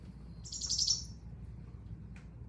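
A House Finch gives a quick, chattery run of high notes packed tightly together, then a single short note, over a low hum.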